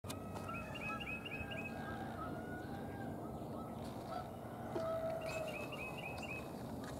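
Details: Pair of red-bellied woodpeckers, a male joined by a newly arrived female, recorded on March 13, 2023. Two runs of about six short, sharp chirping notes, each run lasting about a second, over a steady low rumble and a thin whistle-like tone.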